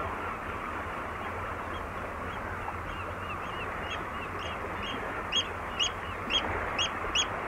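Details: At Walney, a close Eurasian oystercatcher gives loud, piercing 'kleep' calls, about eight over the last few seconds and coming faster, over lapping water with distant gulls.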